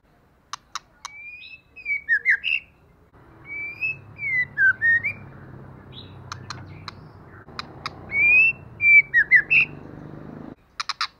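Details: Female white-rumped shama calling to provoke males to fight: sharp dry clicks followed by short clear whistled phrases that slide up and down, repeated in three bursts over a soft background hum.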